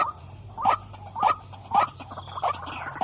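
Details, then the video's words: A female white-breasted waterhen calls with spaced, harsh 'kwak' notes, about five in three seconds, each note short and nasal with a slight upward inflection. "burung wak wak betina suka memanggil.."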